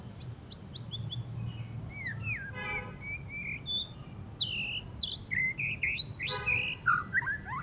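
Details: Post-moult white-rumped shama, singing still rough and chattery: a varied run of sharp whistles, slurred upsweeps and buzzy chatter, with fast twittering bursts and rich warbled phrases late on, above a steady low hum.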